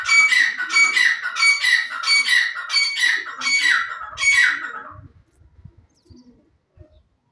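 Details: Wild francolin, known locally as jungli teetar, calls in a run of loud, raspy notes that slide downward, about seven in five seconds, each evenly spaced. Quiet low thuds and rustles follow after the calling stops.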